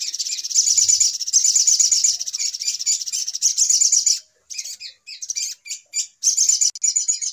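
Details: Little spiderhunter (sogok ontong) calls arranged as a 'pikat ribut' trapping lure: a busy, high, rattling chatter for four seconds, then broken into short sharp bursts with gaps before the rapid chatter resumes.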